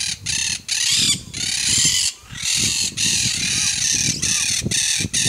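Harsh, grating squawks from a Monk parakeet, given in rapid bursts of about half a second with brief pauses, high and raspy throughout.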